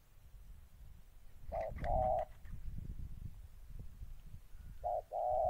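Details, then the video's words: Spotted dove decoy bird, molting, facing a combative wild dove in Gia Lai, Vietnam, 14 August 2020: two-part coos, a short note then a longer steady hoot, with a second phrase starting near the end over low rumbling background noise. "Mồi Cườm Cao đang thay lông đụng bổi đồng háu chiến"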